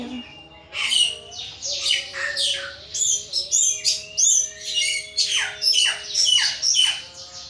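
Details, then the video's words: Caged thrush, anis, in full ngeplong singing: a rapid string of high, downward-sweeping whistled notes, almost two per second, growing denser toward the end, over a faint hum and a low tonal background. "Burung Anis "Ronggeng" Ngeplong Mabok berat"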